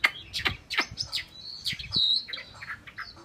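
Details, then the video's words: Chinese hwamei kept as a cage bird, giving a short run of varied clear whistled notes, some sharply falling and some steady high, in quick succession. "chim họa mi"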